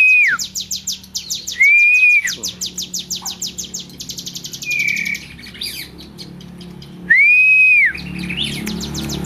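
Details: Vigorously singing tame hill prinia giving bursts of quick, high, repeated down-slurred notes, interrupted by loud sustained arched whistles that rise and fall.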